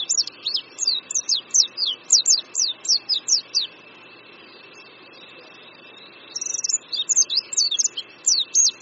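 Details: Oriental white-eye perched on a branch above a creek at Qingdao University, Shandong, China, in spring: a rapid run of high, thin descending chirps, then a pause of about two seconds and a second high twittering burst.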